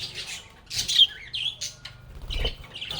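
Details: Several lovebirds chattering while playing, trading raspy squeaks, whistled chirps and harsh squawks in quick, irregular bursts, with faint low rumbling underneath.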